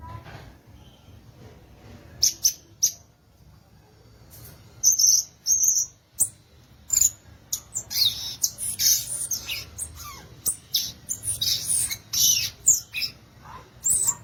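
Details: Violaceous euphonia (gaturamo-verdadeiro or guriatã): after a quiet start, scattered high sharp chips give way to an increasingly dense, twittering run of squeaky and scratchy notes for the final six seconds.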